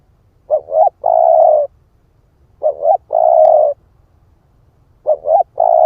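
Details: Lure recording of a split-breast spotted dove cooing to provoke rival birds: three phrases repeating roughly every 2.3 seconds, each a short stuttered pair of notes then a drawn-out even coo, with a quiet low background hum.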